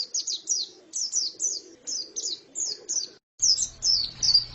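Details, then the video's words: Female white-eye delivering clusters of high, slurred chirps roughly twice a second, then a brief cut before the twittering resumes over a low hum. "Pleci betina sangat bagus suaranya"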